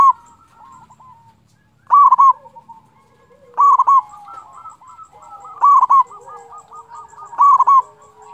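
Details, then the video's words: A vocal local zebra dove, kept to provoke quiet or stressed doves into song, gives four loud clipped coo phrases about every two seconds, while fainter doves keep up a rolling, overlapping cooing chorus underneath. "pancingan perkutut lokal gacor suara ampuh bikin lawan cepat bunyi"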